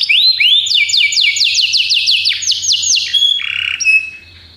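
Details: Belgian canary singing a training song for canaries: a rising whistled opening, then rapid repeated descending sweeps at about ten per second, followed by steady trilled notes and a fading end, with a faint low hum beneath.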